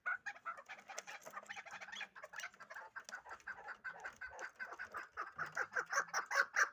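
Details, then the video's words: Hybrid fighting chukar partridges calling in a dense, continuous chatter of rapid harsh clucking notes, overlapping and rising in loudness toward the end. "Кабки Гибриди чангӣ"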